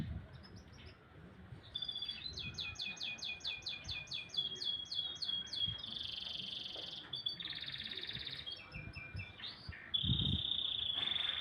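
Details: Canary singing in the morning: rapid high trills of repeated notes, then long buzzy sustained tones and rolling phrases, continuous and loud against a low background hum.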